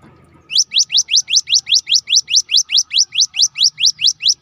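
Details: Song of a cinereous tit, or gelatik batu, offered as a lure to make reluctant birds sing: a fast, even series of bright rising whistles, about two and a half per second, after a brief soft rumble.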